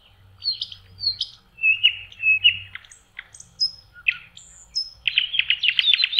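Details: Lakeside common nightingale in May, singing in spring: paired upslurred notes, short whistles at different pitches, then a dense, rapidly repeated chattering burst to finish.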